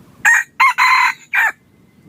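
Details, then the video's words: Decoy red junglefowl for hunting, crowing loudly in four quick parts: a short harsh note, a quick second note, a drawn-out ringing middle and a separate clipped ending. Background otherwise quiet. "ต่อไก่ป่า yos hav zoov dib qaib qus tuaj zoo heev"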